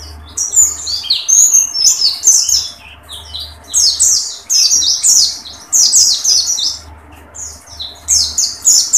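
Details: Tembakan song from a dakun-type pleci singing with open beak: loud, high, chattering bursts of sharp notes, grouped into phrases about a second long separated by short gaps.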